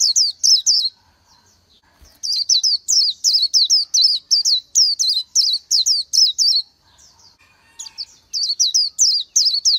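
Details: Oriental white-eye, a wild bird, sings bright, high, quick notes that slur downward, delivered in rapid runs of about three per second with a short pause near two seconds; no other sounds.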